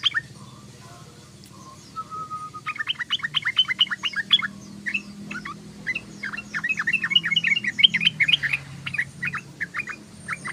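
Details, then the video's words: Trucukan, the sooty-headed bulbul, in ngeriwik chattering: after a quiet start with a faint short whistle, a long run of fast, sharp chirps and twittered notes builds up, pauses briefly, then resumes in lively bursts. "SUARA BURUNG TRUCUKAN❗❗❗TRUCUKAN NGOCEH❗❗❗TRUCUKAN NGERIWIK❗❗❗"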